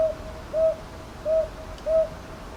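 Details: Northern boobook at Ichijoji, Sakyo Ward, Kyoto, 22 May 2023, TASCAM DR-100MKIII: three to four short, soft hoots about two-thirds of a second apart, with little else audible.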